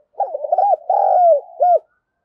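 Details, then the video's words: Spotted dove cooing, used as a lure to call in wild doves: a low, hollow phrase of quick stuttered notes, then a long slurred coo falling at the end, closed by a short separate note. "Chim cu gáy kích bổi nhanh nổi nhất hiện nay, gáy gọi bổi"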